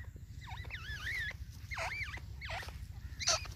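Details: Partridge, called white teetar, calling: wavering, warbled notes that rise and fall, given in four or five separate bursts, over a steady low rumbling background.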